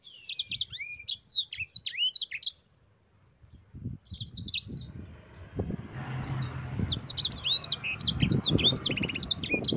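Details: Yellow-fronted canary singing the long rolling ngerol style, played as a master recording for other birds: bursts of fast, high chattering trills, a pause, then renewed twittering against rising low traffic-like noise.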